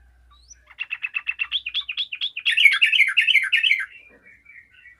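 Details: Yellow-vented bulbul singing actively and answered by other bulbuls: a rapid run of short, evenly spaced chirps, then a loud, dense, bubbling burst of jumbled whistled notes, fading into soft trailing twitters.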